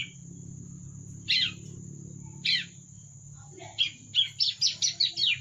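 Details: Fledgling bar-winged prinia practising its song. Two isolated chirps come first, then a quick run of sharp repeated notes. A constant high-pitched hiss and a low hum sit in the background.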